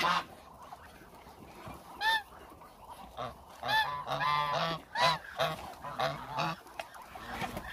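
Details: Around a thousand hungry Muscovy ducks; scattered, loud nasal honks ring out over a murmuring background of other birds in the flock, coming in uneven clusters.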